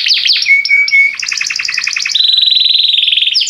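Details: Belgian canary singing to set other canaries singing. Quick whistled sweeps lead into a flat held whistle, then a fast rattling trill and a long even buzzy roll, each note repeated several times a second.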